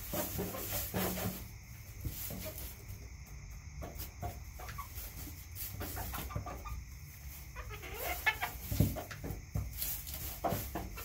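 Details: Backyard flock clucking in scattered short notes, busier toward the end, with thumps and shuffling over a low hum and hiss.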